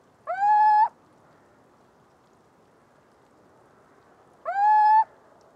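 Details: Little owl singing two plaintive, upslurred hoots, each rising quickly then held steady for about half a second, with about four seconds of quiet hiss between them.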